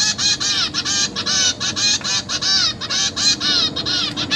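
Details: Caged zebra finch chicks begging as their parents feed them: a dense stream of loud rasping buzzy calls, nearly continuous, each note harsh with bending overtones, about four per second.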